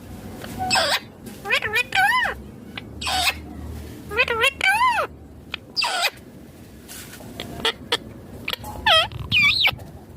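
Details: Green Indian ringneck parrot talking: irregular, wavering, speech-like syllables with quick pitch wobbles and short squeaks, broken by brief pauses, in a quiet room.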